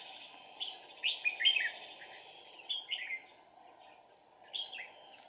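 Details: Fighting song of a red-whiskered bulbul in a trapping setup with two decoys, 2/4/2019: quick bursts of slurred, rising-then-falling whistles, several notes around one second, then clusters near three and 4.5 seconds, with a constant high hum behind.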